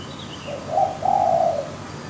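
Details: Wild zebra dove giving a single soft, mellow coo lasting about a second, low and slightly wavering, over a quiet noisy background.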